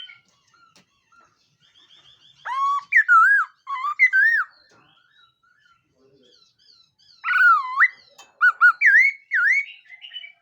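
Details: Black-throated laughingthrush singing a morning voice-training song: loud, rich whistled notes swooping down and up, in two bursts separated by a quiet gap with faint soft calls.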